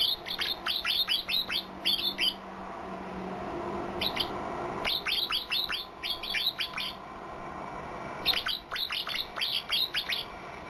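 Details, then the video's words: Unusual white-eye song, described as strange and unique: rapid series of piercing, downward-slurred chips with a thin high overtone, grouped into three fast volleys with quiet gaps between them. "PLECI 🔊SUARA ANEH"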